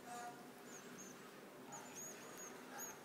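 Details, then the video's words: Goldfinch brood being fed by a parent at the nest: thin, high whistled notes, short and slightly rising, repeated irregularly over a soft rustling background, with one lower whistled note near the start. "Jilguero parva embuchando a los pichones"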